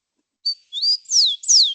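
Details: Rufous-collared sparrow (Zonotrichia capensis), known locally as chincol, sings clear high whistles in an urban setting: a short steady note, a rising slur, then two sweet falling slurs in under two seconds.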